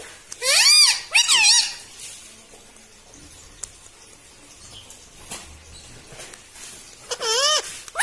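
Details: Household talking parrot, said to call "mitthu" and "mummy": two harsh rising-falling harmonic calls, a quiet stretch with light taps, then a louder arching call near the end.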